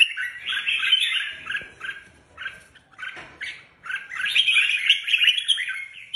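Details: Caged Red-whiskered bulbuls kept as competition birds and prepared for a tournament sing fast, bubbly warbling phrases, loud at the start, quieter and broken in the middle, then a strong dense burst toward the end.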